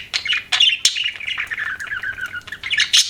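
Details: Pet budgerigar chirping: a run of bright warbled chirps and short sliding notes, with sharp clicks and squeaks scattered through and a louder burst at the end.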